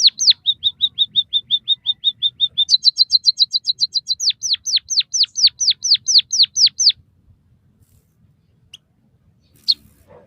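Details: Song of a white-headed munia used to master and stimulate captive birds: steady short level notes, then a faster run of doubled high chirps and a series of deep-falling whistles, fading to a few scattered faint chirps.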